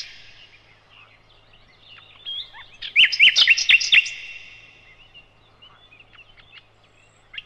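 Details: Nightingale, the sikatan londo, sung as a master recording for cage birds: a short burst of loud, rapid chirping notes rising above a faint background hiss, with quieter scattered notes around it.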